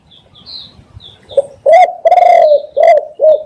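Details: Cooing spotted dove, kept as a decoy sound for trapping: soft thin chirps of another bird first, then a deep rising-falling coo, a long rolled croo and two shorter hollow coos.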